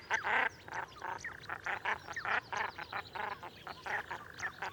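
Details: Common shelduck recorded in the wild: a run of short, harsh, nasal quacking notes, roughly two to three per second, in uneven bursts with brief pauses, some louder than others, over a quiet background.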